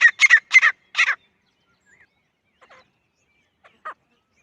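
A francolin gives a quick burst of five harsh, grating notes in about a second, then falls quiet except for a few faint scratchy sounds.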